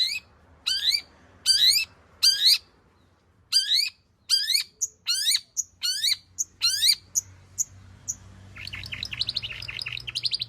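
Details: Long-tailed shrike singing a 'full isian' song, used as a lure to get other shrikes to sing. Harsh, buzzy notes, each sweeping upward, repeat about once a second, then give way to fast scratchy chatter.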